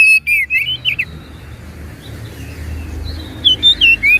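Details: Oriental magpie-robin, used as a lure to get a quiet bird singing: short, quieter slurred whistles at the start, a hushed stretch with low rumble, and a few clear whistled notes near the end.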